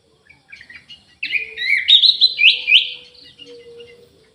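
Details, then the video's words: A few soft, scattered notes lead into a loud, continuous run of rising and falling whistled phrases from an Orange-headed thrush in an aviary, with a faint low hum behind. "ANIS MERAH GACOR"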